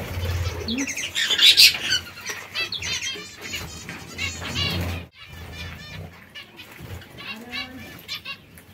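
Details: A group of zebra finches eating seeds and fresh lettuce calls in loud, stacked, nasal beeps and twangy chirps, several birds overlapping. After a short pause, quieter chirping continues over a low hum.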